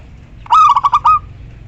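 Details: Single clear calling phrase of a female local zebra dove summoning the male, a quick stuttering series of five low pulsed coos ending in a slightly longer note.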